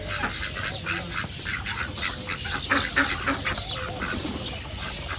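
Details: A crowd of ducks at a reserve keeps up busy overlapping calls, rasping quacks tumbling quickly over one another in a continuous noisy chatter with no clear pauses.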